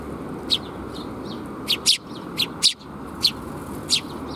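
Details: At 水上橋 bridge on 26 June 2021, sparrows come in for food, calling with single high, clipped chirps spaced irregularly about once a second, with a soft low background murmur beneath.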